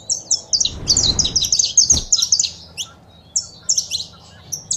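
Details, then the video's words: Saffron finch (canário-da-terra) male singing with female chirps, meant to stir a caged bird into song. A rapid run of high, sharp chirped notes in quick bursts, pausing briefly midway, over faint low hum and a thud. "Piado de Fêmea e o Macho Cantando"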